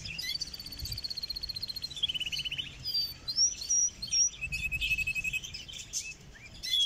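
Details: Canary singing, recorded close up in Germany: high, fast rattling trills lead into clear whistled slides and sweeps. A buzzy rolling trill and more pure whistles follow in a lively, varied stream. Light background noise throughout.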